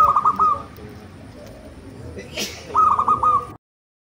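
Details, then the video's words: Local zebra dove of the Majapahit line singing two phrases of a clear opening coo and rapid trilled coos, separated by a quiet gap with a brief noise. "PERKUTUT LOKAL MAJAPAHIT MANGGUNG GACOR.!!!"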